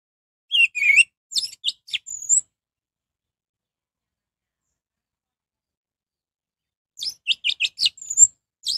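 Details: Song of an orange-headed thrush, used to provoke rival orange-headed thrushes into joining in: two phrases about six seconds apart, each a quick string of sharp, varied high notes ending in a thin, slurred whistle.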